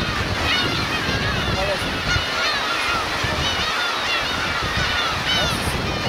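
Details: Black-tailed gulls, parents with young, on Teuri Island's Kurosaki coast in Hokkaido, Japan, 13 June 2021. A chorus of drawn-out mewing calls overlaps continuously against rolling waves.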